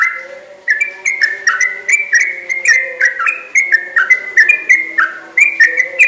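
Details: A yellow-vented bulbul (Pycnonotus goiavier) sings a very chatty, long unbroken run of bubbly, liquid whistled notes, quick and slightly rising and falling, with no other sounds.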